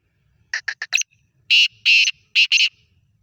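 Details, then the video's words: A Sindhi black francolin calling fast: four short dry clicks, then three loud, harsh, rasping notes in quick succession, with nothing else audible. "کالا تیتر کی آواز"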